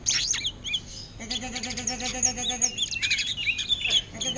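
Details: Greater green leafbird kept in a cage, singing non-stop in orange-headed thrush style: high, thin whistled slurs and crisp chips in quick succession above a low, wavering droning tone.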